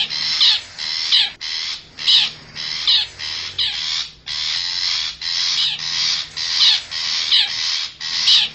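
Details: Wild long-tailed shrike from the forest, used as a lure to bring wild birds closer: hoarse, scratchy bursts repeated in a fast irregular series, harsh and loud throughout.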